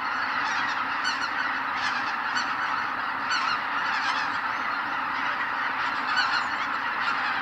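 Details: Greater white-fronted geese streaming out of the roost at sunrise over Kabukuri-numa marsh, Miyagi Prefecture, Japan. Thick, continuous chorus of honks, with distinct clusters of higher yelping notes breaking out every second or so above the roaring flock.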